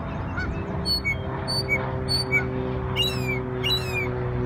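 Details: New York bird on Memorial Day giving spaced, high, thin notes and short downslurred whistles, then two brief buzzy bursts near the end, with a constant low background drone.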